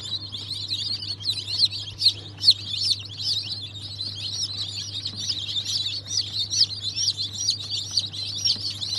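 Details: Newly hatched chicks of Cream Legbar, Australorp and Ayam Cemani breeds, hatched 7 February 2023, peeping in a dense, continuous chorus of high, sharp chirps from many birds at once, with a steady low electrical hum beneath.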